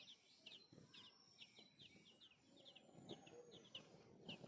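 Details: Thin, high chirps from sparrow babies in the nest as their mother feeds them, short notes repeated several times a second amid low background rumble.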